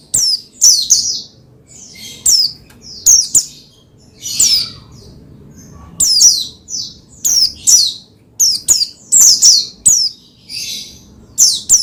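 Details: Oriental white-eye, locally pleci, singing to get another pleci singing; quick groups of high, thin downward chirps, a raspy buzz near the middle, then fast twittering runs.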